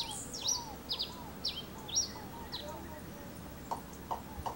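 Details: Wild grey pileated finch singing: a series of thin, high whistled notes sliding steeply downward, given in quick irregular bursts, with softer lower arching whistles and faint later chips over steady background noise.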